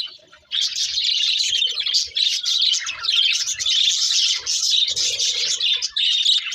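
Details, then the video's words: Several budgerigars singing while eating: a dense, continuous chattering warble of fast chirps and buzzy notes, high-pitched and unbroken after the first half second, with faint soft lower clicks underneath. "Beautiful Budgies Singing and Eating | Love Birds Chirping Sounds"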